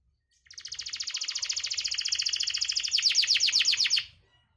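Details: Canary song used as a lure to prompt canaries that are reluctant to sing: a rapid, buzzy trill starting after a brief silence, holding steady for about three seconds, then turning louder with broader notes before stopping abruptly.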